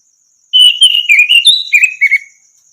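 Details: Song of an orange-headed thrush, played to teach other birds to sing: clear fluted whistles gliding down and up, a brief higher note, then a descending run of quick slurred notes; steady faint insect buzz underneath.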